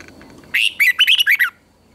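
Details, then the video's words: Red-whiskered bulbul giving contest-style song used to train and excite other bulbuls to sing: a loud, bright, warbling burst of about six rapid, slurred whistled notes lasting one second, then quiet. "Chào mào hót đấu"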